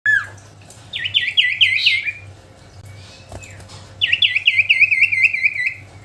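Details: Common iora in vigorous song: two bursts of rapid, bright chirped notes, each bout about a second long, rising then dropping in pitch and separated by a short pause, over a faint steady low hum.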